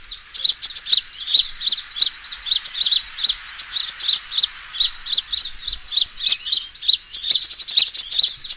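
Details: Sunbird fighting call used as a lure: rapid high chips and short sharp notes in quick series, repeated in dense bursts with brief gaps.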